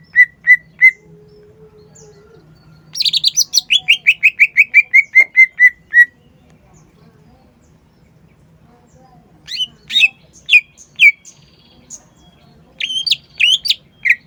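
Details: Green leafbird (cucak ijo) kept as a songbird, singing a fast series of descending chattering notes after short clear whistles, then pauses and bursts of high sharp chips, over a low steady hum.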